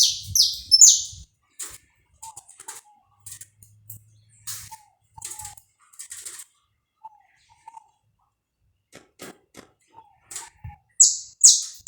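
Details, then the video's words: Saffron finch, live warm-up recording: a burst of buzzy downslurred notes opens, followed by a long stretch of faint chips, clicks and fluttering, and a second burst of loud notes closes. "esquenta seu canário da terra em 10 minutos"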